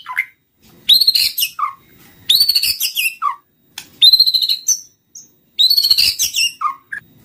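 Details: Lure song of a white-rumped shama: four dense outbursts of mixed whistles and scratchy notes ending in low slurred tones, spaced by brief silences.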